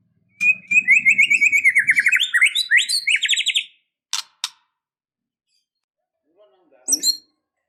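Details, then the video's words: White-rumped shama in a fighting, emotional mood pouring out a long rapid song of about three seconds, a fast run of rising and falling whistled notes, followed by a few sharp clicks and a short closing phrase. "Murai batu Super Loyo tiba Tiba Serontak Emosi Fighter,Dengan Suara Murai Batu Gacor Full isian Ini"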